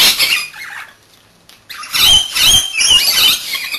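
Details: Pet Rainbow Lorikeets bathing in turn; a burst of noise, a brief pause, then three shrill squeals with wavering whistled overtones.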